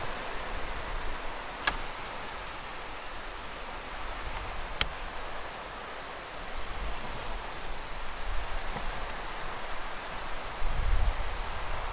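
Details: Steady outdoor rushing noise, like wind or distant traffic, with a few sharp clicks and rustles and no clear animal call.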